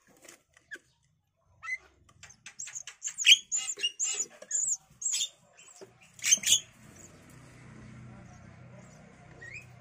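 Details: Javan myna chicks, five days old, begging in a nest box while free-flying pet parents take turns feeding them grasshoppers and caterpillars: a burst of rapid, shrill, raspy high-pitched squeals, loudest in the middle, then fading to a faint low hum.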